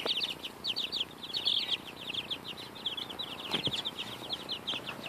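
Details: Two-week-old chicks pecking at a strawberry keep up a steady stream of shrill, short peeps, overlapping and tumbling together, with a few dull knocks and rustles from their feeding.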